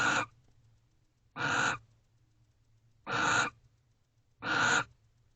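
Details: Night-time barn owls, a pair together in their nest box on 29 November 2023 at 3:19 am, billing affectionately. Four long, harsh hisses follow one another about every one and a half seconds over a low steady hum.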